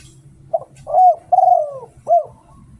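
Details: Spotted dove from Thailand, a bird used for luring calls. It gives one cooing phrase: a short soft note, a long mellow coo that falls, and a closing rounded coo, all low and clear.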